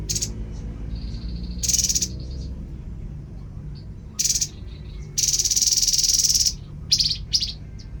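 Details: Babbler (tepus) giving loud harsh rasping bursts, one lasting over a second, alternating with brief sharp notes and faint high pulsed trills, over a low background hum.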